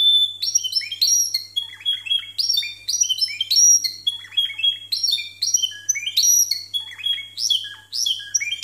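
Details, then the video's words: Canaries of the Timbrado breed performing discontinuous song, judged at 92 and 93 points; imperfect recording. Loud, choppy bursts of sharp high chirps and rising whistles come in clear separate pulses, with a steady low hum. "TIMBRADO DISCONTINUO CON 92 Y 93 PUNTOS"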